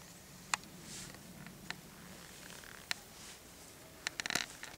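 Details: Black woodpecker hacking hard at a tree, not very high up, in woods near Someren: sharp single knocks every second or so, then a quick cluster of blows near the end, over a low hum.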